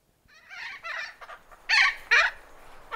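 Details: Thick-billed parrot calling in Arizona, giving alarm and contact calls: a run of harsh, hoarse squawks followed by two louder, rasping blasts near the end, with faint background wind.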